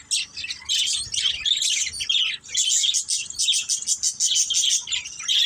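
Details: Pet budgies chirping in quick, bright, warbled twitters, many birds overlapping in a lively chorus.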